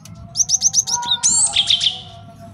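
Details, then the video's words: Male Java sparrow singing as a master song for training and trapping birds: a run of five quick high chips, then a bright high-pitched warble with sweeping whistled notes and rapid trills. "MASTERAN GELATIK BATU JANTAN BAGUS BUAT MIKAT DAN MASTERAN BURUNG JAWARA"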